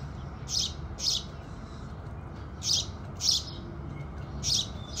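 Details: House sparrows at sunrise repeat bright, scratchy chirps, mostly in pairs, with gaps of one to two seconds, and fainter chirps in the background over a gentle low hum.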